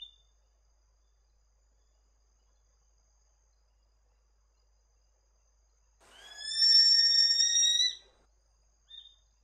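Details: Lesser sooty owl of north-east Queensland rainforest gives a single shrill, drawn-out whistling screech about two seconds long, steady and slightly rising, then a brief faint note.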